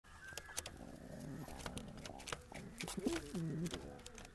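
King pigeon giving low, throaty rolling coos around three seconds in, over rustling, clicks and scattered knocks.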